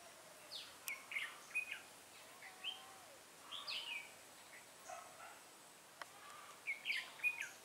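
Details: Red-whiskered bulbul used as a decoy to lure wild birds into a trap, recorded on 8 October 2017: short whistled, warbling phrases in scattered bursts, faint against a quiet background hiss.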